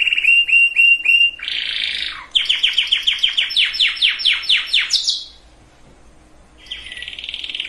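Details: Canary song for breeding preparation of females and males: short repeated chirps, a buzzy phrase, then a rapid series of downslurred trill notes, a pause and a renewed buzzy trill.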